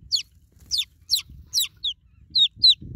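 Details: Newborn chicks call for a broody mother hen, giving thin, falling peeps roughly every half second, the later notes shorter and whistled, with faint low rustling.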